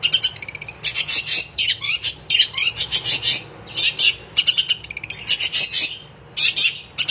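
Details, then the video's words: Long-tailed shrike singing a lively, loud song: rapid bursts of harsh, scratchy high notes mixed with short whistles and a few lower slurred tones, delivered in dense phrases with brief pauses, over a faint low hum. "kicauan cendet gacor"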